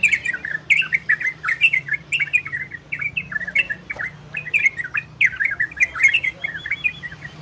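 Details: Ropel and garudo style song of an orange-spotted bulbul, played to bring listening birds into breeding condition: lively continuous chatter of quick slurred whistles and churrs in dense clusters, briefly easing around the middle, over a low steady hum.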